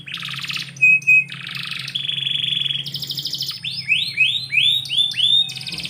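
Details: Canary singing indoors in the morning: fast varied phrases of rapid trills, a brief steady whistle, buzzy rattles and a series of rising swept notes, with a faint low hum underneath.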